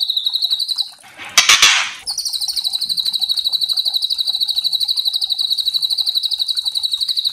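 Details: Young spotted white-rumped shama, caged, giving kretekan-style song used as a lure: a fast, even, ticking trill at high pitch, repeated about four times per second, broken after one second by a loud rustling burst, then resuming steadily.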